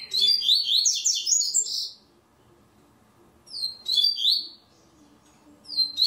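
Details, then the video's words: A double-collared seedeater is entered in an online singing tournament, third stage. Three bursts of rapid, high, twisting notes are heard, the first the longest, separated by quiet gaps of about a second and a half. "TORNEIO VÍDEO WEB COLEIRO ON-LINE"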